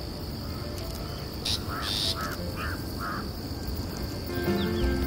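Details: A Long-tailed Shrike chirping from a branch in a thick bush on Vetal Tekdi hill, Pune, imitates other birds with four short, slurred mid-pitched notes about half a second apart and a couple of harsh bursts, over steady high hiss and low rumble.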